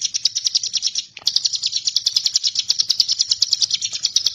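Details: Bar-winged prinia song used to tutor magpie-robins: an almost unbroken, high, rapid trill of sharp repeated notes, about three per second in pulses, with one short break early on.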